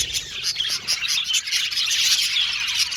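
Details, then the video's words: Budgies in a colony aviary chirping together, a busy tangle of quick, high, twittering notes and scratchy warbles, rising and falling in loudness from moment to moment. "Budgies Singing and Chirping Sound"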